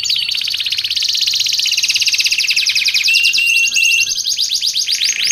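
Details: Canary in energetic continuous song, a training and luring recording: a long rapid buzzy trill sliding slowly lower, a short level whistle twice, then fast rising trill notes.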